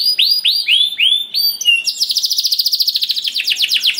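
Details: Canary song used as a lure to get other canaries singing: a run of loud downward-sweeping whistled notes, then a fast rapid trill of buzzy repeated notes, about fourteen pulses in two seconds.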